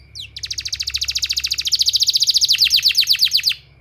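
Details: Canary song meant as a therapy sound for training canaries: a rapid rolling trill of many repeated high notes, shifting after about two seconds to slower, deeper downslurred notes before stopping.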